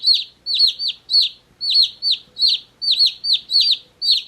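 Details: Baby chickens, one day old, give a steady stream of shrill, descending peeps, some doubled, about two or three per second without pause, clean and close with no other noise.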